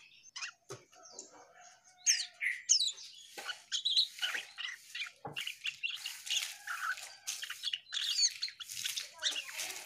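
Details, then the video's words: Asian pied starling singing energetically, a long varied medley of harsh chatters, squeaky whistles and clicking notes in quick bursts, growing denser and more continuous toward the end. "Burung cucak Keling Gacor"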